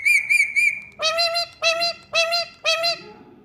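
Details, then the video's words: Talking Indian ringneck parrot: three quick wavering high whistles run into a held tone, followed by four harsh, buzzy, voice-like syllables spaced about half a second apart. "Bolne Wala Tota | Parrot Talking Mummy"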